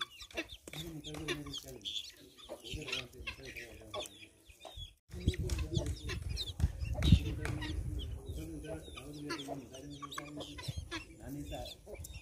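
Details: Young guineafowl keets, hatched by a chicken along with one chick, let out to eat grass for the first time: quick, chirping calls over low clucking and handling noise.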